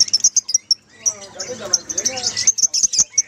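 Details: A mass of lovebirds, played to stir a lovebird that has stopped singing: piercing high chips repeated in uneven bursts, with a softer warbling of lower notes in the middle.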